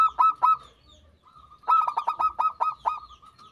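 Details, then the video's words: Zebra dove (perkutut) song: two short hollow coos, a pause, then a rapid series of about eight clipped, ringing notes. "Pancingan Perkutut Manggung"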